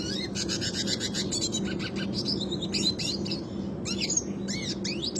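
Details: Classic red siskin rolling song used for training other birds: busy high chirps, quick trills and sweeping twittered notes pour out almost continuously, with a steady low hum underneath.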